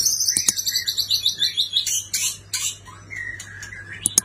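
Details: White-rumped shama from a neighbouring country delivering a fast trill of high repeated notes about three per second, then buzzy bursts and a few clear whistled notes.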